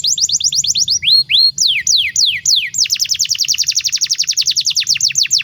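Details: Canary master song for training young birds, starting with quick falling trills, then slow separate upward and downward slurred whistles, then a long fast trill of sweeping notes.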